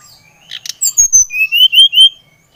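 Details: Short phrase from a brown-chested jungle flycatcher from Bali: a couple of buzzy notes, then a high whistle falling away into a chain of rising and falling clear whistles.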